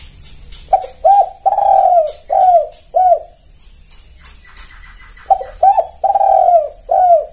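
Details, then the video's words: Zebra dove, called tekukur, used as a lure to draw other tekukur into calling, a loud clear kuk style with stutters; bursts of short rich coos in two series separated by a quiet gap, faint high chirps in the background. "Suara pancingan tekukur kuk2 gacor"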